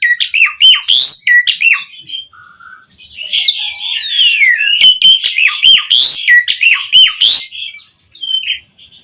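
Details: Asian pied starling in full rich song, played to coax other starlings into singing; rapid clicking and chattering notes with repeated whistled upslurs, rasping sweeps and sliding whistles in a fast, varied medley.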